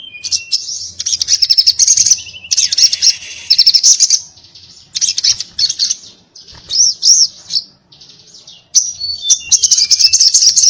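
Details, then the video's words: Sogon (little spiderhunter) pouring out 'ngobra' song: long stretches of rapid, high, buzzy chatter with rolling warbled notes, broken by short quiet pauses and a few whistled slurs. "sogon gacor ngobra TARUNG NGALAS TAJAM"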